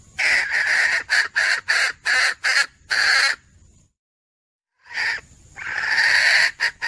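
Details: Female red junglefowl calling to bring a male to her, recorded 17 February 2021: harsh, raspy clucking notes in quick bursts of about seven, a short silence, then a longer rough cackling run with a faint whistle above.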